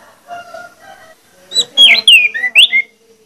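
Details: Orange-headed thrush, lure song to make other males sing: soft low murmurs first, then a loud phrase of swooping whistles and falling notes.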